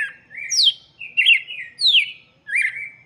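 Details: Red-cowled cardinal singing for chicks: five rich whistled phrases, some sliding sharply downward, others held level, delivered steadily over three seconds.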